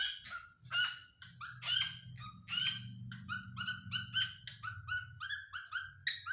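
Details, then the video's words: Pet cockatiel guarding against wild birds, calling rapidly in a chattering series of short whistled-harsh notes, roughly one per half second, some with downslurred whistles, over a steady low hum. "Cockatiel milu possessive with wild birds"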